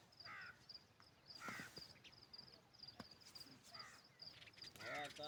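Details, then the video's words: Parrot making a series of brief harsh squawks spread across the recording, the loudest at about 1.5 and 5 seconds. A continuous high-pitched pulsing whine and faint background rustle run underneath. "Beautiful Parrot | Amazing Colors & Sweet Sounds of Nature"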